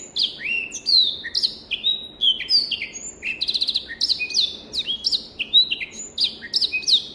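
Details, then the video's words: Black-throated canary, a finch from Africa, in clear training song: continuous rapid whistles and descending slurs, with a short buzzy rattle of quick repeated notes midway. "SOUND of BIRD BLACKTHROAT || FINCH SINGING || MASTERAN BLACKTHROAT"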